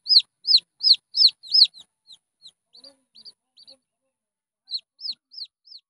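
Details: Red junglefowl chick giving loud, high, down-slurred peeps, five strong notes about every third of a second, then softer broken cheeps, a short silence, and a final run of four fading peeps.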